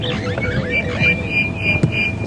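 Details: Unseen starlings on a morning safari drive at Djuma Game Reserve on 5 November 2015 give fluting, whistled phrases that swoop up and down over a thin steady whistle, with a low engine rumble underneath.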